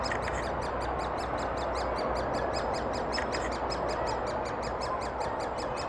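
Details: Thurrock woods, 20 May 2014, great spotted woodpeckers feeding chicks, recorded on a FinePix HS50EXR: an unbroken, metronome-like stream of short high ticks, roughly five per second, against a continuous low rushing background.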